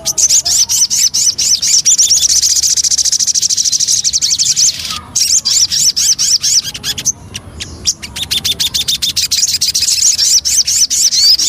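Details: Javan cochoa lure song: rapid, dense high chattering with thin rising whistled notes running almost without pause, briefly broken by short gaps near the middle, with scattered sharp clicks throughout.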